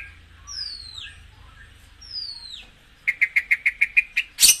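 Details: White-rumped shama song used to stimulate kept birds: two long whistled notes sliding steeply downward, followed by a quick run of sharp repeated notes and a final harsh burst.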